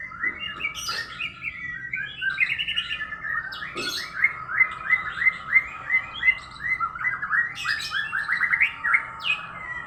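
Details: Domestic canary with a strange-sounding song: a rolling series of short clipped notes, roughly three per second, repeated steadily at mid pitch with occasional sharper chirps.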